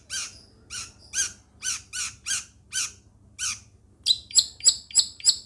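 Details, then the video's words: Long-tailed shrike from Situbondo giving evenly spaced nasal, down-slurred notes, then switching to quicker, sharper whistled and scratchy phrases with clear high tones. "LANGSUNG TERPIKAT Dengan Burung CENDET Seperti ini"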